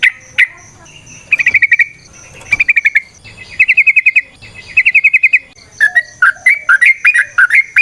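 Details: Sooty-headed bulbul used as a singing lure, ropel and nrotok variations: short bursts of rapid rattling repeated about every second, then a lively string of varied, bubbly chirps.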